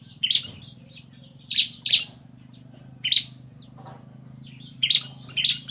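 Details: Male and female bar-winged prinias answering each other with scattered single and paired sharp, high chirps separated by short pauses, over faint background hum.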